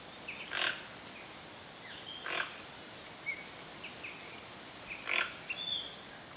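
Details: Toco toucan in Brazil giving three short, harsh, grunting croaks spaced about two seconds apart, with thin high whistles from other birds and a steady hiss of background noise.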